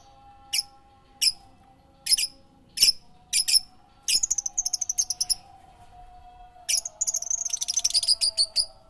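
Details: Bird song: bright high chirps in separate spaced notes, then fast rattling trills and a dense twittering burst near the end, over a faint steady low hum.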